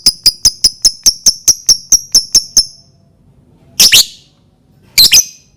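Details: Lovebird used to provoke other lovebirds to sing: a rapid, even series of about twelve sharp high chirps, a pause, then two harsh doubled screeches.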